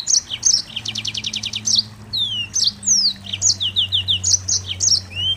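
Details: Densely packed Mozambique canary song with a rapid rattling trill early on, then sweeping slurred whistles and quick high chirps, over a faint low hum.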